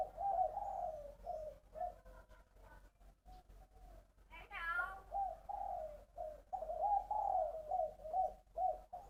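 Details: Caged spotted dove from Long An, Vietnam, singing in the 'three-phrase bronze-voice' style: low, mellow cooing phrases repeated in a rolling series, with a brief higher sweeping sound near the middle and indoor room sound.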